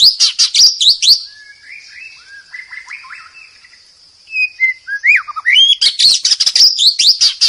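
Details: A champion white-rumped shama sings loud, rapid bursts of rich whistles and sharp chattering notes, with a long thin high whistle between them and then quieter fluty phrases, possibly mixed with rain sound.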